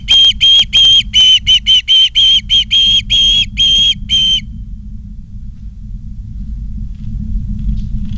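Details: Live nature cam at Charlo, Montana, 28 August 2023, afternoon: an osprey gives about thirteen quick loud whistled notes over four seconds, then falls silent, leaving a low rumbling background.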